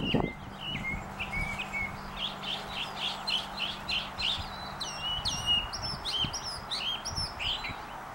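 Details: Northern mockingbird singing on a telephone wire, a rapid, varied run of chirps, whistles and squeaky phrases, with brief low background noise.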